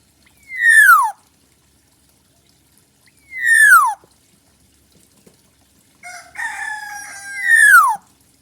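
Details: A black-naped oriole calling actively in natural surroundings: two loud, nasal notes that slur steeply downward, about three seconds apart, then a busier phrase of mixed whistles that ends in the same falling note.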